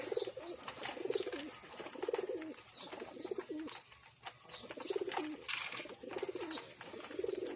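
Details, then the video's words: A flock of pigeons at feeding time coos steadily. Low, rolling, burbling phrases repeat roughly every second, pausing briefly midway, over a busy background of flapping wings and scratchy clicks. "Samahan Nyo po ako mag pagkain ng mga kalapati"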